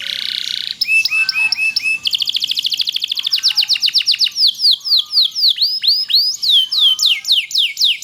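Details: Singing loper canary, long-duration tutoring song: a few sharp chirps, then a rapid dense trill that gradually slows into loud, evenly spaced descending whistled notes, about four per second.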